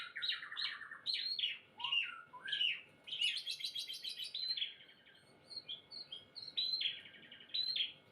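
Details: A caged adult white-rumped shama (Copsychus malabaricus) being conditioned for song contests sings a rich, varied run of fluty whistles, chattering trills and sharp upslurred notes in quick bursts, with short pauses between phrases.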